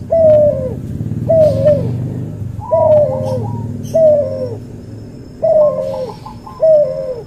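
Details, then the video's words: Training recording of a cuhu dove bred from white albino puter and puter pelung: repeated drooping coos at a steady pace, some overlaid by brief higher chirps, over a low rumbling background. "MASTERAN BURUNG CUHU HASIL SILANGAN PUTER ALBINO PUTIH VS PUTER PELUNG"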